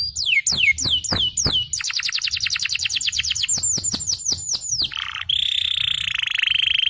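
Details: Champion yellow canary delivering a long song: quick falling whistled sweeps repeated in rolls, then a faster run of descending notes, ending in a sustained high buzzy trill.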